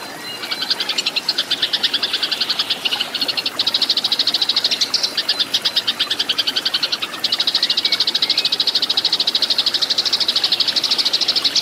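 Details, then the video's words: Fighting song of Eurasian tree sparrows for training caged birds: long, dense runs of loud, clear, rapid chirps that blur into a buzzy chatter, with a short gap before a steady final stretch. "MASTERAN BURUNG GEREJA TARUNG"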